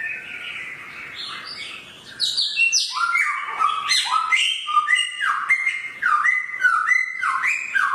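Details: Samyong bird with a sharp voice, singing after a quiet start: a fast run of loud, clear whistled notes, many sliding downward, mixed with buzzy, harmonic-rich phrases, fairly continuous.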